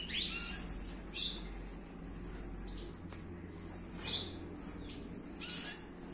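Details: European goldfinch kept for silvestrismo, the Spanish tradition of song-contest finches: short, bright, tinkling twitters in brief bursts roughly a second apart, with a few longer gaps and a low steady hum underneath.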